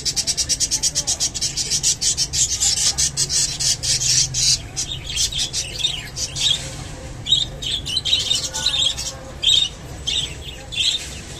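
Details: A Japanese budgerigar eating water spinach (kolmi shak) chatters in a fast, dense run of high, scratchy chirps, then looser, squeaky notes with short rising and falling whistles.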